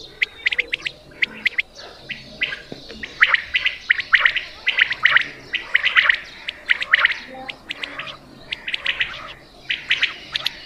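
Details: Quail call for hunting in Punjab: repeated bursts of quick sharp chirps, some in threes, forming a busy stuttering sequence with brief gaps.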